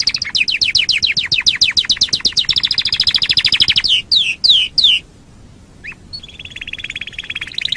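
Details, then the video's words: Canary song used as a training master: a rapid chain of sweeping chips, three loud descending slurred whistles, a short pause, then a thin sustained trill returning. "Masteran Suara Kenari"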